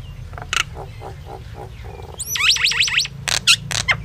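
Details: Common myna, or Indian myna, singing: scattered gurgling notes and a rasp, then a fast zigzag of four rising-falling whistles followed by harsh explosive squawks.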